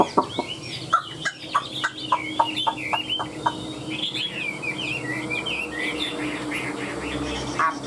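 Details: Caged Chinese hwamei with a fanned tail and wing display, kept as a songbird: sharp clucking knocks open the clip, then a run of varied, slurred whistled phrases, rising and falling in quick succession.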